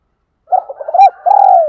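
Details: Spotted dove decoy calling wild birds in, thổ voice: a quick series of soft wavering coos building to a louder rounded note, then a long even coo falling gently in pitch, with a brief sharp high tick midway.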